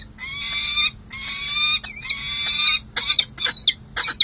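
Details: During a long pair-bonding session, a Peregrine falcon pair at San Jose city hall, July 2024, gives long creaking wails, then shorter broken, sharper notes toward the end.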